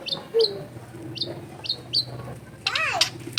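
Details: Long-tailed shrike sound used to coax a lazy bird to sing, recorded amid a densely populated neighbourhood: a series of short, sharp high chips repeated every half second, then a rough, rasping burst, over a low hum.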